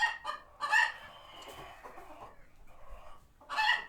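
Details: Chickens at a farm sanctuary, alarmed by a passing hawk and retreating to their coops, give a few harsh, broad clucks in short bursts separated by quieter pauses.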